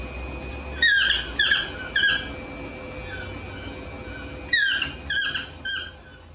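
A toucan gives two bursts of three or four squeaky, yelping notes that drop in pitch, over a steady background hum.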